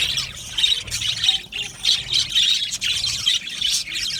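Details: Colony of caged budgerigars: busy high-pitched warbling and scratchy chirps pulse in waves, rising and falling in loudness every second or so.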